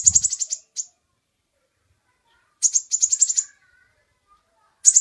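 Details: Sunbird called kolibri ninja in a recording meant to teach other birds: fast high rattling trills in bursts, one brief chip between them and a low thump at the start.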